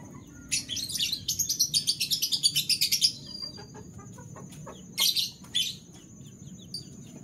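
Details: Canary singing in the morning: rapid bright high trills pulsing about twice a second for two seconds, then a pause and two shorter high bursts, with a steady thin whistle and low background rumble throughout.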